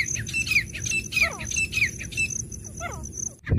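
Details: Wild grey francolin repeating strident, scratchy notes that grow weaker and trail off, with steady low background hum and a sharp knock at the end.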